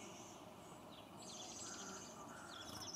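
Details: Orange-crowned warbler song at Beckwith Park, Victoria, BC: a thin, high trill of rapid notes, faint against a steady hiss of outdoor background noise.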